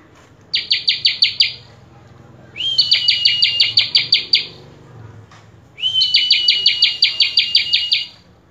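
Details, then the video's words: Common tailorbird singing persistently, full of song phrases: three high bursts of rapid, evenly spaced ticking notes. The second and third each open with a short rising whistle that flattens into the trill, with quiet pauses between. "Prenjak Kepala Merah Gacor Full isian"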